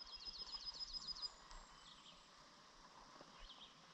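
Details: A Hermit Thrush sings in the early morning in a beaver meadow in the Pepperbox Wilderness, northwestern Adirondack Park: a high, fluty phrase of quick, ringing slurred notes, then softer distant notes, over faint outdoor background noise.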